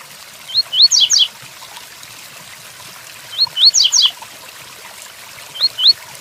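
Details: Double-collared seedeater giving the tui-tuí song type with rain sounds: paired upswept whistles, then twin falling buzzy notes, repeated in three phrases roughly every three seconds. The last phrase is whistles only.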